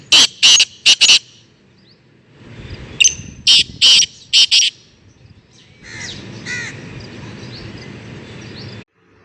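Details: Trained black francolin out of its cage: harsh, scratchy call bursts repeated in two series of four to five notes, with a softer grating phrase afterwards and low background rumble.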